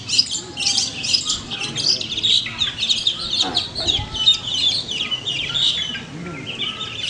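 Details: Long-tailed shrike at a bird singing competition in Manden, pouring out a dense, scratchy medley of chattering notes and short whistles, a lower whistle briefly heard, amid a noisy crowd of birds.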